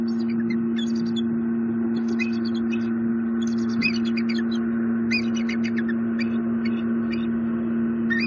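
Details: Bald eagle nest in Southwest Florida, 31 March 2020, day chick E15 hatched at dawn and egg four pipped; bursts of high, thin chittering notes repeated every second or so over a steady low electrical hum.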